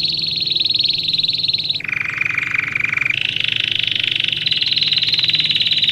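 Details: Domestic canary singing for young birds being trained: a high, buzzy sustained roll drops suddenly to a lower, fuller warbling tour, then climbs back to a long high trill; quiet low background hum.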